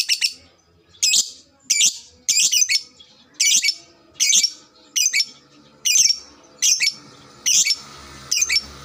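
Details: Lovebird sound used to prompt other lovebirds to chatter quickly: harsh, shrill high chirps or squawks, each a short burst, repeated about every 0.7 seconds in an even series, with faint low background hum.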